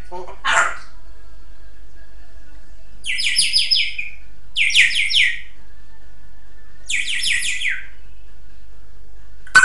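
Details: African grey parrot kept as a pet indoors, giving a short harsh squawk, then three bursts of bright, squeaky, stepped chirps, each burst about a second long with quiet gaps between, in a small room.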